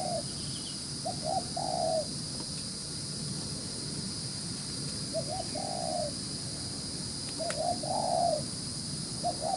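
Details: Spotted dove, a wild-caught bird with fine neck spotting, giving quick coo phrases: small clipped notes leading into a fuller hollow coo, the phrase repeated about every three seconds, with constant hiss and low rumble behind.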